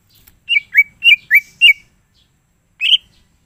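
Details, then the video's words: Greater green leafbird (cucak ijo) in energetic gacor song with full isian fill: five quick slurred whistles dipping from high to lower pitch, a pause, then one more bright whistled note, clean quiet background. "cucak ijo mana saja akan ikutan bunyi dan gacor dengar c ijo ini bongkar full isian"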